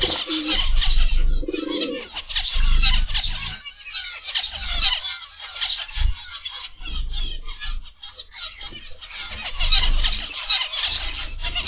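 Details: Zebra finches chatter in an aviary in the morning, a fast, irregular stream of high squeaky beeps from many birds. A brief low coo opens the clip, with muffled thumps throughout.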